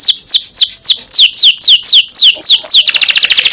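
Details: Canary song for teaching other songbirds: a series of loud downward-sweeping whistled notes about four per second, ending in a very fast high trill.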